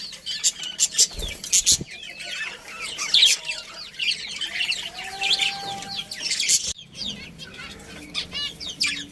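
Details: Pet budgerigars in a colony produce a steady, dense babble of high warbled chirps and squeaks, with a few louder sharp clicks early on.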